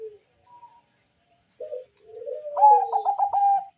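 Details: Deep-voiced zebra dove of the Bangkok type, singing to get other doves calling: a short low note and a long coo sliding downward, then a rapid stuttering series of coos ending in a held note.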